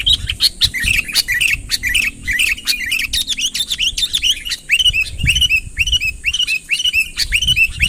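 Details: Sooty-headed bulbul call aimed at drawing a rival in: jumbled chirps at first, then a steady series of clear, arched, downslurred notes repeated roughly twice a second, over low murmuring noise.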